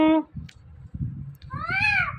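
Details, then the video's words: Indian ringneck parrot imitating a cat's meow amid words repeated nearby: a brief nasal note at the start, quiet clicks, then a loud rising-and-falling meow-like call at the end over low room rumble. "Compilation Of Two Best Talking Parrots"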